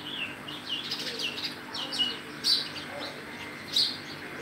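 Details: Sparrow giving a run of short, high, slurred chirps, then two sharper louder notes spaced about a second apart, over a steady faint hum.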